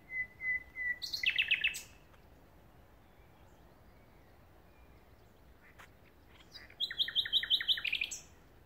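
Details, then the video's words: A common nightingale sings at Pulborough Brooks RSPB: a few pure level whistles, then a rapid run of sharp chirps; after a pause, a second fast rattling trill of high notes. "nightingale song"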